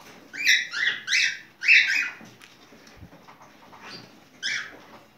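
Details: Cockatiel in mating song, delivering a quick run of four bright harmonic chirps, a short quiet gap, then a single further chirp, with soft background noise.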